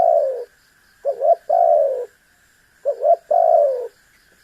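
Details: Spotted dove, known locally as tekukur, calling to provoke a rival bird: short double notes followed by a long falling coo, repeated in phrases about every two seconds, with a faint steady hum in the background.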